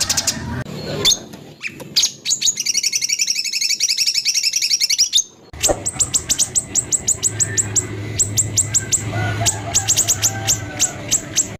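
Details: ["White-rumped shama 'tembakan kasar' song used to provoke and train songbirds: sharp chips, a long dense buzzing trill, a short pause, then rapid strings of clipped high notes with occasional low rumble behind."]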